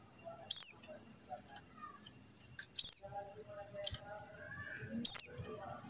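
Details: Buxtoni white-eye call used to lure silent white-eyes into singing: three sharp, very high, downward-slurred notes, each ending in a short buzzy tail, spaced about two seconds apart, with quiet background.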